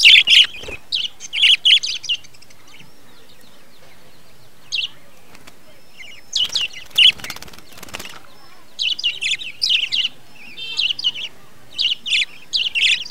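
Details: Breeding colony of budgerigars, 2020: groups of scratchy chirps and warbling chatter come in bursts, with wing flapping and rustling in the middle and near the end.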